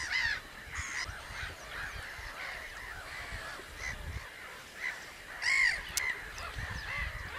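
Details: Common crane chorus of repeated, arched trumpeting notes from many birds, with louder rolling calls at the start and a prominent ringing call toward the end.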